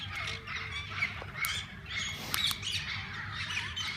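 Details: Parakeets of several kinds in a walk-in aviary at a parrot zoo; harsh squawks and clicks mixed into dense chirping chatter, a few sharp bursts of noise, constant low hum.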